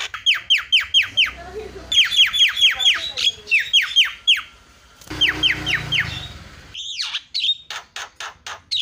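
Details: Javan myna lure calls to stir other mynas into calling: rapid strings of sharp down-slurred notes in bursts of several, then scratchy rasps and a few looping whistles.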